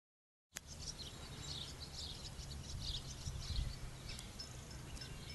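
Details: Barn swallows at Neufeld harbour on 26 May 2012 give short, high chirps and twitters in loose bursts over a steady low rumble of wind and harbour noise.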